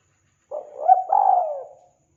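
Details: Spotted dove lure call used to attract wild doves: a single soft, hoarse, low coo phrase with a short rising note and then a longer falling hum, lasting about a second and a half. The background is quiet.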